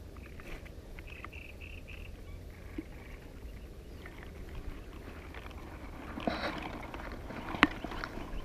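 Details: Common reed bunting song recorded at a distance: a short run of four or five thin, even notes repeated on one pitch, faint over a constant low rumble, with a few scattered clicks and rustles later.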